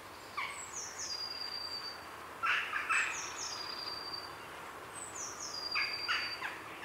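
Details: Grey herons at a heronry in the afternoon, heard close: two short clusters of coarse, scratchy croaks, with a blue tit's high, descending whistled phrases repeating over them and jackdaws in the background.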